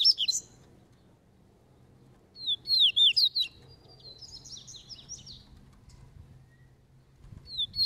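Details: Double-collared seedeater practicing caveirão song, not caged: separate bursts of rapid high slurred whistles, a loud series of swooping notes, then a softer buzzy trill, with quiet pauses between phrases.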